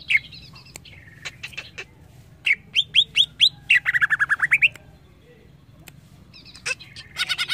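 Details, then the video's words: Greater green leafbird song, played to coach other birds, with sharp clicks, a run of quick downslurred whistles, a falling series of bubbly notes, then twittering phrases. "Suara burung CUCAK IJO"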